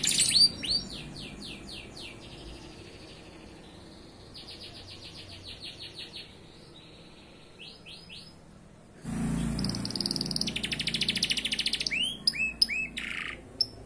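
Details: Canary singing a full song packed with rapid-fire trill bursts. Fast repeated chirping trills and high whistled sweeps alternate, with a sudden louder stretch of dense trilling mixed with a rushing background noise.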